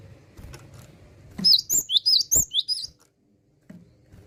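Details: Cinereous tit known locally as gelatik batu, singing a short rapid phrase of high, curling whistles lasting about a second and a half, with low rumbling noise before it.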